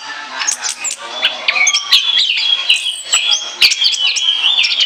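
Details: Song of an Orange-headed thrush for use as a lure: a busy warbling stream of high whistles, ringing sustained notes and sharp clicks, delivered quickly and without a break.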